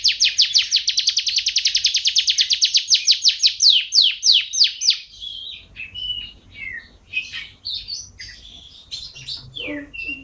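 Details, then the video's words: Canary song for training caged birds at home: a long fast trill of rapid descending notes for about five seconds, then varied chirps, short whistles and warbled phrases, with faint low room noise. "Suara KENARI Juara Gacor terbaru || Jitu untuk Masteran dan Pancingan kicau dirumah"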